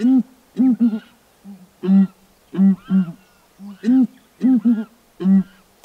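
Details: In Kruger National Park, Southern ground hornbills perched on a branch exchange a duet of deep, muffled hoots in quick pairs and triplets, mixed with quieter single low notes.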